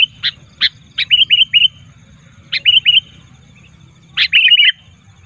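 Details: Sooty-headed bulbul calls, used as a lure to draw wild bulbuls together; sharp bright notes followed by short bubbling rolled phrases, in three bursts about every one and a half seconds, over a low steady hum.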